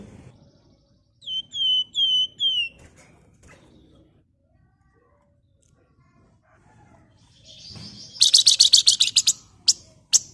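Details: Sunda warbler (wergan jawa, flamboyan) singing gacor ngebren, used as a lure for flocking birds: four clear descending whistles, a quiet gap, then a loud rapid high-pitched buzzing trill.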